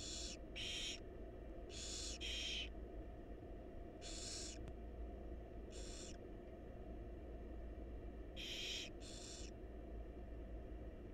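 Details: Nestling barn owls begging while the mother feeds them in a monitored wild nest box: hoarse hissing shrieks, often in close pairs, spaced irregularly across eleven seconds, with a steady low hum throughout.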